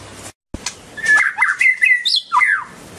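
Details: White-rumped shama, a songbird native to dense vegetation of South and Southeast Asia, delivering a short phrase of mellow whistles, a high upward flourish and a falling slur after a brief silence.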